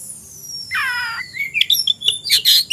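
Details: Oriental magpie-robin, ready to fight a rival, late afternoon: a harsh buzzy note followed by a rising whistle and a quick run of sharp, high chips.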